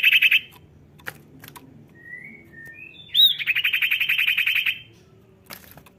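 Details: Common Iora in full song, used as a lure to prompt reluctant ioras to sing: a few high whistled notes, then a fast, steady, buzzy trill lasting about a second and a half, with short chirps around it.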